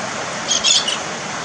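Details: One of a pair of Galahs (Galah cockatoos) in an Australian backyard gives a brief harsh, screechy squawk in two or three quick rasping bursts, half-buried under the steady hiss of falling rain.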